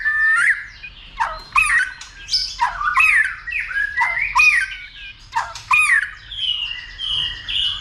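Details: White-rumped shama excited to sing and fight, tail flicking: harsh squawking notes with sharp upward sweeps, repeated roughly every second, ending in cleaner whistled tones.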